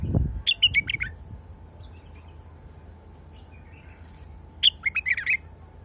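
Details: A wild bulbul gives a rapid burst of five or six warbled, slurred notes, falls quiet for several seconds, then repeats a similar bright, chattering phrase. A constant low background hum is present.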